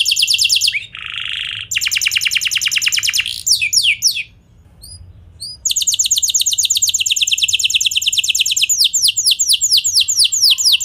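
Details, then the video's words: Canary singing to draw other canaries into song: opening rapid trill, a buzzy rattle, fast ticking rolls, a short near-silent gap with faint chips, then long fast trills of descending notes. "Kenari Kondisi Apapun Pasti Nyaut! Ampuh Buat Memancing Kenari Lain, Langsung Gacor"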